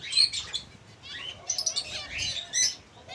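Several finches chatter with quick, high, thin chirps and short twittering phrases, overlapping in bursts across a few seconds with a faint hum underneath.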